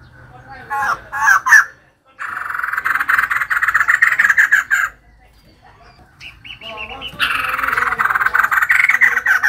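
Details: Female white-crested laughingthrush singing actively. Short harsh bursts give way to long runs of fast, raspy laughing chatter, separated by brief pauses.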